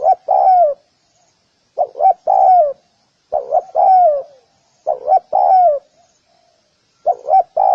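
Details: Spotted dove cooing steadily: five phrases about every one and a half seconds, each two short rising coos then a longer coo that slides downward, clear with little else heard.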